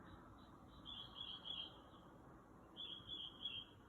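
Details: Bird calling outside a house around 2 am, part of a varied night-time performance. Two high, slightly buzzy, wavering phrases, each lasting about a second, are separated by a short pause. A steady low hum sits underneath.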